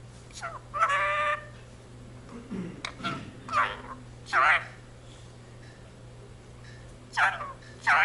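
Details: Household Indian ringneck parakeet talking in Punjabi, the jaikara "jo bole so nihaal": a steady nasal syllable, then scattered short raspy words several seconds apart, with a low human voice briefly underneath.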